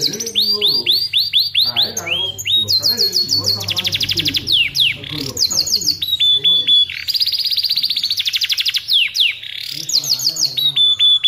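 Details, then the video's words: A canary in full song, used as a training song for other canaries, sings continuously: fast rolling trills, series of quick downslurred whistles, and bright high chattering phrases that change every second or two. "Kenari gacor"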